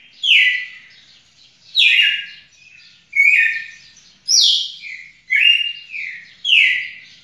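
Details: Red-cowled cardinal, recorded 18 June 2021, giving six loud downslurred whistles at roughly one-second spacing, some phrases ending in a short lower tail note.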